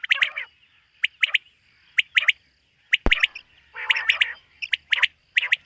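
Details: A Common Quail in a summer meadow in the morning gives sharp, liquid two- and three-note phrases, repeated about once a second, with one loud click partway through.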